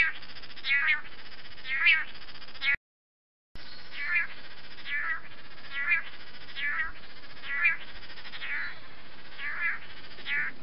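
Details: Courtship dance of long-tailed manakins in humid Costa Rican rainforest: repeated nasal, buzzy calls roughly once per second, broken by a brief silent gap, with steady low background noise throughout.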